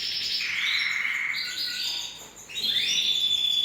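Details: A canary sings long rolling trills, first lower and level, then a rising sweep into a high steady whistled tone.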